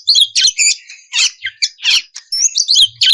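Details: Oriental magpie-robin (kacer) singing to provoke rivals: loud buzzy chatter and scratchy trills in quick succession with occasional thin whistles, almost without pause.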